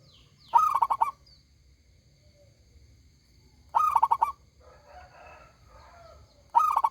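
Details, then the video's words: Active local zebra dove with a loud, resonant voice. Three rapid cooing phrases arrive about three seconds apart. A brief jumble of softer chirpy sounds fills the gap before the last phrase. "perkutut lokal gacor suara besar nyaring"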